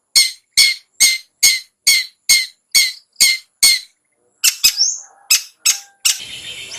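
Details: Cendet, or long-tailed shrike, ngetet used as a singing lure: a regular string of harsh rasping notes roughly every half second, then a break, a few more notes and a burst of noisy hiss at the end.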